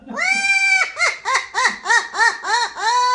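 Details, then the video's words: Parrots tweeting: one long nasal, harmonic note, then a quick run of about seven arched, bleat-like notes, roughly three per second, evenly paced and fairly loud. "Nice tweeting of parrots"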